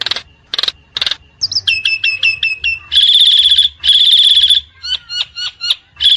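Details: Wild Nias hill myna delivering three harsh notes, a quick series of six hooked whistled notes, two long loud sustained whistles, then softer clipped whistles.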